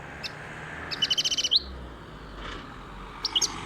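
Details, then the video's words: European goldfinch, described as wild, gives a quick run of about seven bright, evenly spaced twittering notes ending in a short upward slide, with a few scattered high chirps before and after over faint background hiss. "صوت الحسون روعة"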